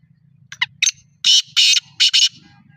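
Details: Black francolin (kala/dakhni teetar) in Pakistan giving a few quick ticking notes, then four loud, harsh, grating bursts in a tight phrase, over a faint low hum.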